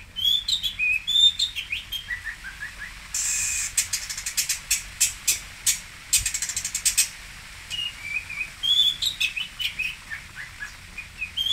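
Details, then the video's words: Singosari long-tailed shrike, called cendet, mixing thin whistled notes and squeaks with dense rattling chatter and clicking bursts in a long, busy, varied sequence. "BURUNG CENDET / PENTET / TOET"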